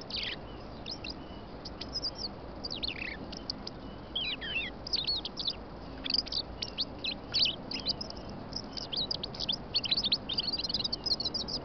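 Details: A European robin sings on a snowy morning in England: a steady run of thin, high, tinkling notes and quick wavering trills, the phrases varied and barely pausing, over a soft background hiss.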